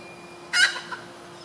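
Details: A red junglefowl (Gallus gallus) hen gives one harsh squawking note of about a fifth of a second, then a softer short note, over a faint steady hum.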